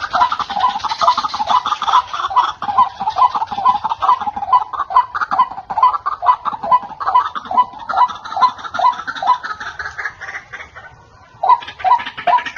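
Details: White-breasted waterhen call used to lure birds into traps: a long, regular series of grating notes with whistled tips, about two per second, briefly fading near the end before a few loud notes return.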